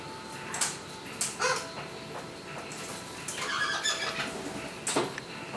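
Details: Tame wild Australian king parrots from a local population that feeds on bird seed give a few short, harsh squawks and shrill notes at irregular intervals over a steady low hum and background hiss.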